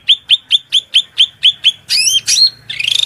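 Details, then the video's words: Cucak rante master song: eight evenly spaced sharp high chips, then looping slurred whistles and a rattling buzzy phrase, with a low hum of running water behind. "MASTERAN SUARA MELENGKING CUCAK RANTE GACOR"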